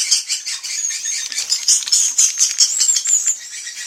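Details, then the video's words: Swiftlet calling sound played as an evening roosting lure: a dense, continuous high twittering of rapid chirps and trills, with faint crackling clicks underneath. "SUARA BURUNG WALET - INAP SENJA"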